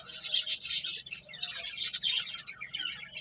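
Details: Finches eating and playing, giving dense high chirps and twitters in overlapping bursts, busiest in the first second and again around two seconds, several birds calling at once.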